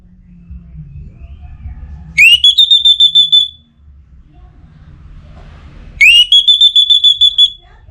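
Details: Orange-headed thrush in breeding condition, a contest bird from Singaraja, Bali, calling out to a rival: two bursts of rapidly pulsed, high, steady whistling, each opening with a rising sweep and lasting over a second, with quiet gaps between.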